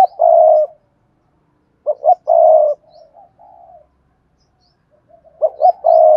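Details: Spotted dove (cu gáy) singing in the Vietnamese 'bài bản' style, described as 'Cườm Sa' with a 'hạp bổi' voice: low mellow coo phrases, each two quick rising notes then a drawn-out coo and softer trailing notes, repeated three times in a quiet setting.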